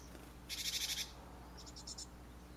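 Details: Japanese tit chicks fledging from a nest box in a Japanese garden holly tree near a village; a dense burst of high, rapid, buzzy chirps, then a second softer run of short high notes.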